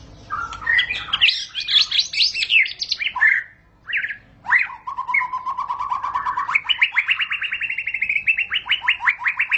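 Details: Murai batu (white-rumped shama) song meant to set shamas singing (ngentrok): a dense scratchy warble, a pause, sharp swept notes, then a long steady trill of rapid repeated notes that climbs slightly in pitch.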